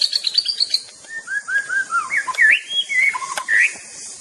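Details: White-rumped shama (murai batu) song, a rich varied stream of quick whistled notes, some rising, some falling, slurred and looping, delivered almost without pause; steady high insect hum behind.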